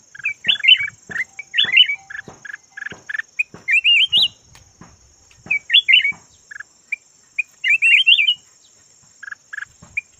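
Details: Red-whiskered bulbul of a yellow form used as a decoy bird: rapid clusters of short chirps broken by lively warbled whistles that wind upward, repeated about every two seconds, with a constant faint high electronic whine.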